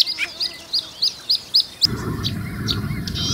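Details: Marsh warbler of Russia singing a run of about six clipped, up-flicking high notes at a quick, even beat, after which a loud broadband rush of noise takes over while a few thin notes continue.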